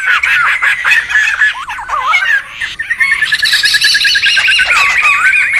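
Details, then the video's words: Wild laughingthrushes calling noisily, used to lure and tutor birds: harsh chattering squawks at first, then wavy whistled notes, followed by a busy overlapping chorus of rapid warbles and scratchy calls. "SUARA PIKAT DAN MASTERAN SEMUA BURUNG POKSAY RIBUT ALAM LIAR"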